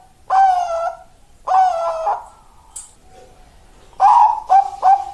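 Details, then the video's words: Zebra dove with a so-called 'death angel' voice, recommended for breeding, gives two long, harmonically rich coos and then, after a pause, three quick, clipped coos in succession. "perkurut suara malaikat maut"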